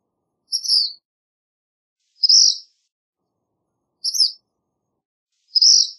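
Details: Black phoebe song of four high buzzy phrases, alternating a rising-then-falling note with a lower burry note, each about two seconds apart, with no other sounds.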